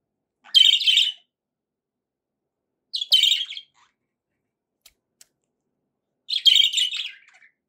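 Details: Pet budgie in good spirits giving three separate short harsh chirps, spaced about three seconds apart, with silence between.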